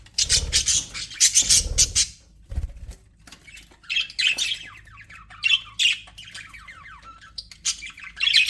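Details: Budgerigars in an aviary squawk and chirp; loud harsh bursts with low rustling at the start, then a mix of scratchy chatter and descending chirps.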